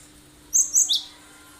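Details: Cinereous tit singing a sharp, full 'tembakan' phrase used as a lure so other birds join in and imitate it: three quick high whistled notes, the last dropping lower, then quiet.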